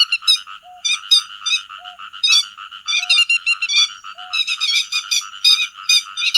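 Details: Lure recording of grey-headed lapwing calling its flock for netting by day and night: grouped harsh, ringing call notes, growing busier toward the end, with a soft low tone recurring about every second.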